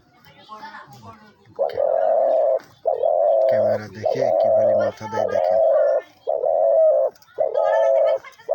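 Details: Ground-hunting decoy dove (ghughu), said to be thick-voiced, calls while bobbing its head toward the camera. Deep, steady coos, each about a second long, repeat in a run, with a person talking over the middle.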